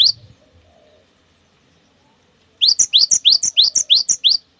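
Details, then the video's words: Cinereous tit singing the long 'wucit wucit' song used to provoke other birds of its kind to sing: after quiet, about eight rapid, loud, sharp two-note whistled phrases in quick regular succession. "SUARA ASLI GELATIK BATU GACOR PALING WUCIT WUCIT PANJANG"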